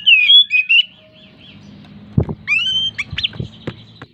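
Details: Oriental magpie-robin (kacer) in breeding condition, song meant to spur other birds into singing: wavering whistled notes, then scattered upslurred whistles mixed with dull knocking and clicking sounds over a low hum.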